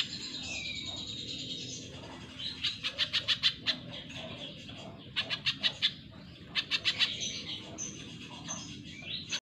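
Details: Spiderhunter in captivity, recorded as a training song, with several clusters of rapid high staccato notes and a few thinner squeaky calls between them, steady hum underneath.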